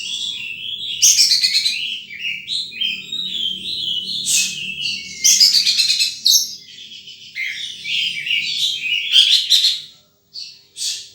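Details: A wild sunbird chatters in fast, high chirps and trilled bursts, phrases tumbling together with brief pauses, and a faint low hum beneath.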